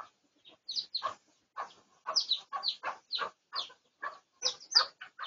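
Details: Pradu-coloured red junglefowl recorded for research on 18 August 2023; short broadband clucking and peeping notes come in quick irregular bursts, some rising sharply, about a dozen over five seconds in a quiet setting.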